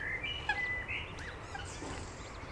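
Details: Eurasian coot family with seven chicks at Beverwijk, the Netherlands, recorded on a camera-mounted RØDE VideoMic: thin, high whistled calls, some long and level, some short and rising, over a steady low rumbling hum.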